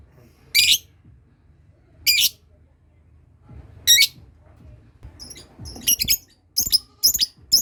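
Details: Lovebird learning the long ngekek trill with other lovebirds responding: three harsh squawks spaced about one and a half seconds apart, then a quicker run of choppy, chattering notes toward the end.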